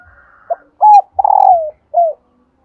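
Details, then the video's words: Female spotted dove voice, played so males will start cooing: one complete phrase of a short note, a hollow level coo, a long rolling coo falling away and a brief final coo, in clear quiet surroundings. "hãy mở ngay Tiếng cu mái này"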